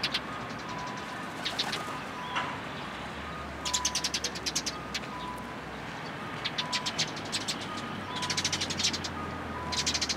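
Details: Several sparrows in blooming cherry trees at a Tenmangu shrine, 1 April 2023: quick bursts of dry, rapid ticking chirps in clusters every second or two, with steady vehicle rumble beneath.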